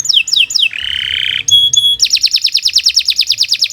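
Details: Kenari Nusantara canary singing long, vigorous gacor song used as a master recording for young birds: three high descending whistled sweeps, a steady buzzy note, two short pure whistles, then a fast rapid rolling trill.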